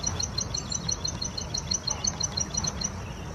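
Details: A wild plain prinia sings energetically, giving a quick, regular series of thin, high tinkling notes, roughly three per second, against low background rumble.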